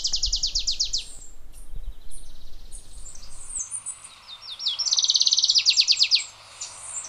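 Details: Adelaide's warbler, native to Puerto Rico, delivers two bursts of rapid high trilled notes, one at the start and another after a pause, with scattered faint chirps and low background noise between them.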